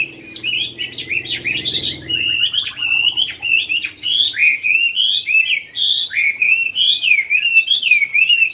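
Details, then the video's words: Competition song of a Chinese hwamei in the Mỹ Đình club's top-ten final round, 19 July 2020: a continuous rich stream of varied whistles, rising and falling slurs and quick trills, with a brief low murmur early on. "HỘI HỌA MI HÓT MỸ ĐÌNH"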